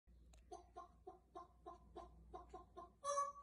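An African grey parrot makes about ten quick, clucking, hen-like notes, three or four a second, then ends on a louder, drawn-out squawk.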